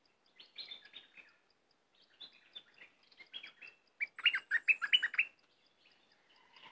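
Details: Cream-vented bulbul song in separate bursts of rapid chirps and slurred notes, the last burst loudest and most crowded, with short silences between phrases.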